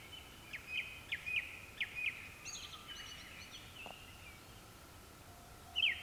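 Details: Japanese thrush at dusk, several singing: a run of short clear whistled notes repeated about every half second, a brief fluted phrase, then one sharp high note near the end, distant and quiet.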